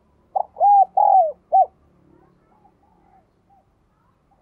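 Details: Spotted dove cooing a four-part phrase: a short note, two drawn-out arched coos, a clipped closing note, then quiet with faint background sounds.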